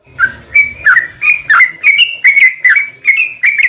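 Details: Sooty-headed bulbul in lively song meant to get other bulbuls singing back; a steady series of clear, liquid whistled notes about two to three per second, each with a slight downward flick.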